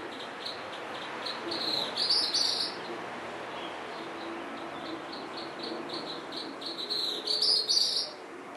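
Tropical Kingbird giving two bursts of high, thin, sputtering twitters about five seconds apart, over a steady background of pulsing insect chirps.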